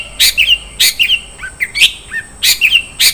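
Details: Long-tailed shrike giving 'isian' fill-in song: loud harsh bursts, each trailed by slurred chirping notes, spaced about half a second apart, with a faint background hiss.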